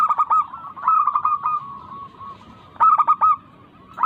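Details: Local zebra dove singing, used to coax idle doves into song: quick staccato cooing bursts trailing into a steady, softer drawn-out tone, then another sharp rolling burst near the end.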